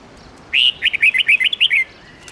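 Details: Red-whiskered bulbul, a mature wild bird singing its 10-12-13 note song for training young birds: a lively burst of about eight crisp whistled notes, evenly spaced and bright, lasting roughly a second and a half.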